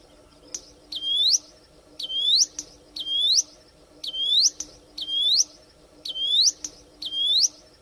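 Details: Plain prinia in the wild, singing actively: a run of eight rising, slurred whistles, each ending in a sharp upward flick, spaced close to a second apart, with a quiet steady hum in the background.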